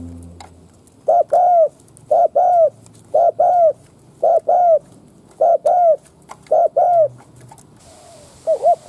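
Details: Decoy spotted dove giving its provoking 'gù kích bổi' coo, meant to rouse wild doves: six deep phrases about a second apart, each a quick wavering double note then a longer falling coo, ending in a brief hiss.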